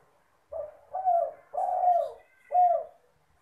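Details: Spotted dove cooing actively, a recording meant as a lure: four low, hollow coos, a short note, two longer drawn-out coos and a final clipped coo, each falling slightly at its end.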